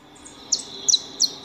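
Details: Saffron finches feeding at a house give three sharp, high, downward-slurred chirps spaced roughly a third of a second apart, with a faint steady background hiss.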